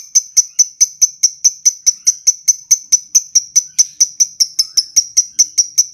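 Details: Lovebird chattering, the long 'ngekek panjang' style, recorded for training other lovebirds: sharp, very high clipped chirps repeated steadily about three times a second, each one alike, with no other sounds.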